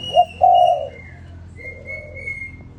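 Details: Spotted dove in the morning: a quick rising note and a loud, steady low coo, then a softer coo, while another bird gives thin high whistles in the background.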